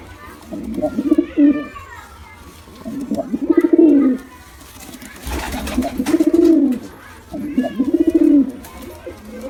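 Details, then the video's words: Low, gurgling pigeon coos from a male and female pair come in four swelling bursts, each rising then sliding down, separated by quieter pauses with a brief thump midway. "Male & Female Pigeon Combo Attacks Sound"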